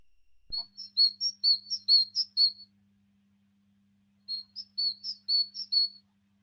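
A Great Tit sings high, squeaky two-note phrases in quick repetition, like a creaking hinge or a foot pump. Two bursts are split by a short pause, over a faint low hum.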